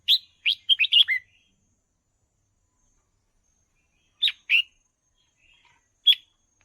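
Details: Red-whiskered bulbul singing, a recording meant for training young birds. A fast phrase of bright chirped and whistled notes comes first, then a pair of chirps and one later single note in quiet surroundings.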